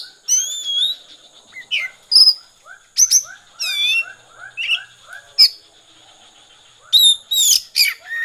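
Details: Oriental magpie-robin in konslet song: varied loud phrases of sliding whistles, rapid descending trills and harsh high bursts, separated by short pauses. Soft, evenly repeated lower chirps and a thin steady hum are in the background.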